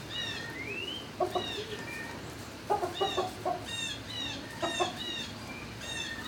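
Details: Barn-kept turkeys recorded on 26 March 2019 at midday: short bursts of low clucks in quick groups, over a busy background of high whistled chirps, one clearly rising.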